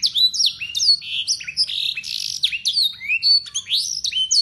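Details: A local Yorkshire canary in full song pours out a long, clear, fast unbroken run of high whistled slurs, swooping up and down, full of borrowed blackthroat and sanger phrases. No other sounds intrude.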